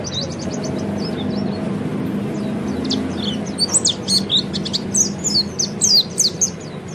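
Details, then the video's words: Oriental white-eye (peleci) singing in the ngeriwik style, played to help other birds start ngeriwik and ngepelong; high, thin chirps in a fast run, then a denser burst of sharp twitters in the second half over a low steady hum. "kicau burung peleci ngeriwik"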